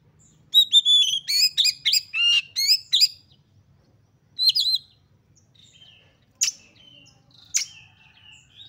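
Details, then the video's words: Oriental magpie-robin in high excitement, said to be a female in breeding condition, sung to provoke others: a fast loud burst of many sharp high chirps and whistles, then a pause, one more phrase, and two isolated sharp notes. "KACER GACOR FULL EMOSI TINGGI// JOSS UNTUK MENDONGKRAK KACER LAIN AGAR CEPAT EMOSI DAN GACOR FIGHTER"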